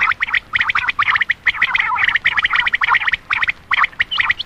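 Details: Common quail (Coturnix coturnix), lure call: attracting males at night.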